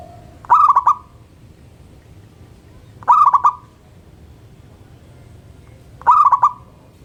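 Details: Local zebra dove singing in the morning: three bursts about every three seconds, each a short series of rapid, rolling cooing notes near one pitch, with a faint lower steady tone and quiet background between phrases.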